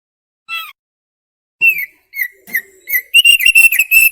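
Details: Thick-billed heleia training song: an isolated note, a silence, then several spaced whistled phrases building into a dense, rapid chatter of bright notes.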